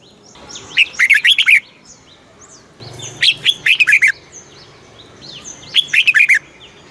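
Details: Caged-bird training recording of a Red-whiskered bulbul in Thailand, southern master-style song used to stimulate and tutor young birds; three lively phrases of rapid liquid chirps, each about a second long, with faint background hiss.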